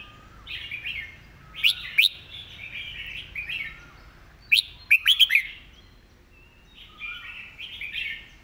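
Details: Red-whiskered bulbul singing a Thai-style master song, fast-paced with repeated phrasing: loud bursts of sharp, downslurred whistled notes at about 1.7, 4.6 and 5 seconds over a steady background chatter of other birds.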